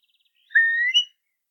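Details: Eurasian curlew in Ireland giving a single clear whistled note that slides upward, lasting about half a second, with silence around it.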